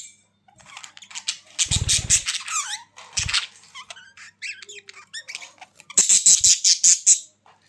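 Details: Budgerigars calling in quick squeaky bursts and buzzy chatter, with sharp high chirps and harsh rattling bursts between softer warbled notes.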